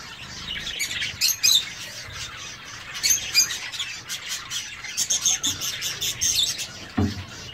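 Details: Caged zebra finches in an aviary calling with short, sharp, high chirps and brief nasal notes in scattered clusters, several birds overlapping, plus a low thump near the end.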